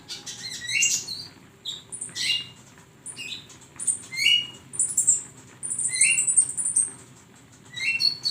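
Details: Flowerpecker singing for songbird training: a busy run of shrill chips, thin buzzy notes and quick rising slurs, sometimes merging into a longer high chatter lasting a couple of seconds, then briefly pausing.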